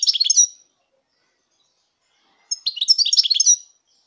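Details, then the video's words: European goldfinch singing, from 2019: two bursts of rapid, liquid twittering with high tinkling notes, the first short and the second about a second long, separated by silence. "chant chardonneret"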